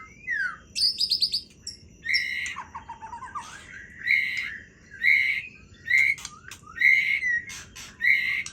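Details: Murai Aceh, the white-rumped shama, in full voice running through its repertoire. Repeated bright whistled phrases about once a second, mixed with rapid chattering trills and a low warbled passage early on.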